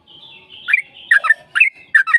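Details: Sooty-headed bulbul song used as a lure to provoke a reply from another bird: bubbly notes around 1 to 3k, with soft sustained whistling behind them and a few sharp bursts near the end.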